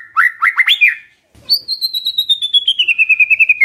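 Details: White-rumped shama used as a lure to get a quiet bird to call: a few rising whistles, a brief gap, then a long, fast trill that slowly falls in pitch.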